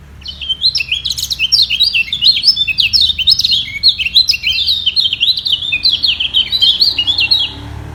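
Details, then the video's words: Yellow white-eye (kecial kuning) singing in a voice battle to defend its top position against rivals below, neither giving way; a fast, dense twittering of high, slurred chirps continues for about seven seconds, then stops. "Demi Mempertahankan Posisi Kecial Kuning Ini Perang Suara Di Bawah"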